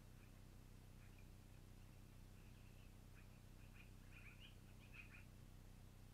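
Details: Long-eared owl nest at night, 12-04-2018: brief high squeaks start sparse, then quicken into a dense cluster of louder calls during the last half, all over a low constant drone.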